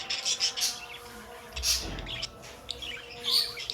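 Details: Pet budgies give a run of rapid high chirps at first, then a brief lower rustle and scattered squeaky notes ending in a bright chirp.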